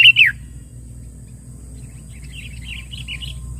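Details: Sooty-headed bulbul rival-challenging lure call: a loud, sharp, downward-slurred note opens, followed after a pause by faint, bubbling warbled phrases over a low hum.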